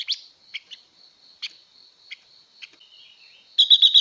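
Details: Female blue-winged leafbird, singing to stir up males, gives scattered sharp chirps and short high ticks at irregular gaps, then bursts into a rapid buzzy trill, with a constant thin high tone behind.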